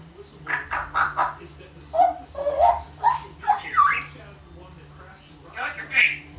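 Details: One-year-old female African grey kept as a pet, blabbering learned phrases such as "yoohoo anyone home" and "get back on your cage"; rhythmic speech-like syllables with whistled tonal inflections, pausing, then two more rising notes.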